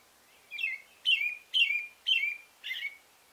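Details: Male American robin in song, giving five clear warbled phrases roughly half a second apart, each a bright note that slurs downward, with a faint hiss behind.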